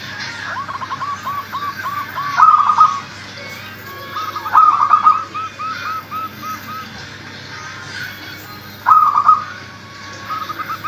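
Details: Local zebra dove calls meant to prompt lazy doves into calling: trains of quick descending cooing notes with bright sharper accents, recurring every few seconds against constant low hiss.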